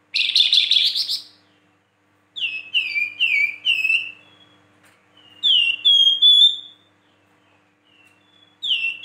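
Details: Flamboyan singing vigorously, with a harsh, buzzy chattering burst followed by a run of clear downslurred whistles repeated about every half second, then more whistled phrases after short pauses.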